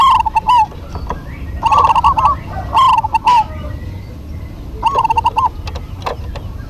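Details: Lively duet of local zebra doves. Clusters of fast, bubbling coos come in roughly four bursts a few seconds apart, interspersed with sharp clicks and a low background hum.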